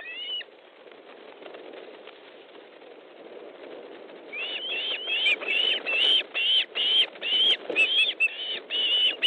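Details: Osprey at a nest in Estonia, fish delivery at 19:30 on 13 July 2014: one whistled call, a stretch of low rustle, then a steady series of rising-falling piping notes repeated roughly twice a second.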